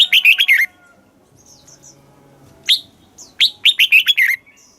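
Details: Red-whiskered bulbul kept caged in Thailand, southern master-style song for teaching young birds and rousing others; two fast phrases of clear, falling chirps with a pause between, soft high twitters in the gap.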